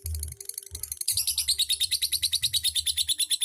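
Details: Lovebird singing in the ngetik and ngekek styles: after a quieter first second, a fast, unbroken stream of sharp, high chirps runs at about eight per second, with a low hum underneath.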